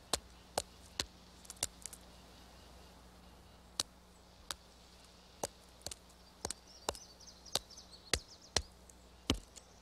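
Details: Pileated woodpecker hunting insects: slow, rhythmic loud whacks, about a dozen blows at an uneven pace, as it cleans timber of carpenter ants, its favourite food; faint high twittering in the background.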